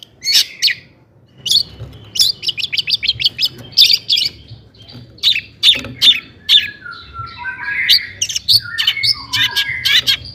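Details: Long-tailed shrike singing a lively 'toet toet' song meant to stir other shrikes into singing, with rapid trains of harsh high clicks and chips broken by gliding whistled notes near the end.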